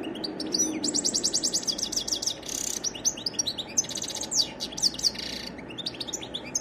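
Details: A wild goldfinch delivers continuous varied song, jumbling bright twittered notes with dry buzzy trills and quick liquid chirps, all high-pitched and hurried over faint steady background noise.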